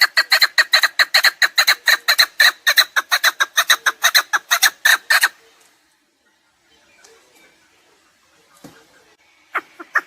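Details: A chukar partridge gives a loud, quick chattering series of clucks for about five seconds. Near silence and a few soft, scattered notes follow. The recording is meant to help hunters.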